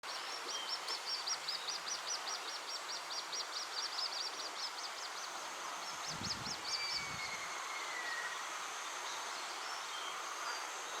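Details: Little grebe chicks begging their parents for food while the adults dive repeatedly to catch prey for them; rapid, thin, high peeping notes in a steady run of about two per second, with a low rumble of passing traffic midway.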